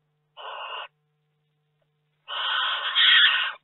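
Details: Barn owl in May at a nest box holding newly hatched chicks and eggs, with a third barn owl visiting at night, gives two harsh, hissing screeches: a short half-second burst, then a longer rasping one over a second.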